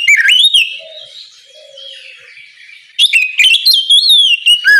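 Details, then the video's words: Oriental magpie-robin morning song, loud and open, intended to get other magpie-robins singing: a swooping whistled phrase, a softer pause, then a dense second burst of high slurred whistles and sharp clicks. "Kicau Kacer ngeplong memanggil Kacer bahan agar cepat gacor di pagi hari"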